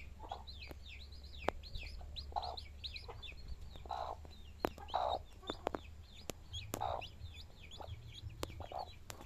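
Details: Hen with her chicks: low, soft clucks from the hen every second or so, mixed with many high, thin, downslurred peeps from the chicks throughout, and a few sharp clicks.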